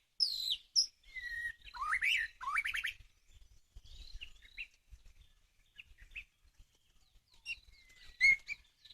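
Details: White-rumped shama song played as a bird-catching lure: a burst of harsh, buzzy notes and rising rattles, then scattered high chips and a short whistled slide, with quiet pauses between phrases.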